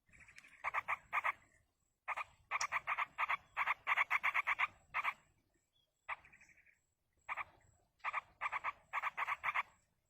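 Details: Begging yellow-vented bulbul chicks being fed in the wild: harsh, buzzy notes fired rapidly in runs of several seconds, with silent breaks and a softer single note midway.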